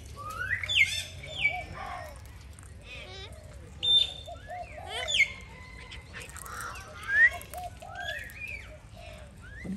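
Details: Alexandrine parakeet being fed, giving sharp rising and falling whistles and harsh squawks in short bursts about every one to two seconds, with people talking nearby throughout.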